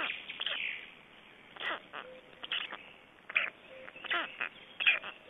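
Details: Black storks at an Estonian nest during feeding and a change-over, 25 May 2012: scratchy squawks and short falling squeals in an uneven series, over a faint steady tone.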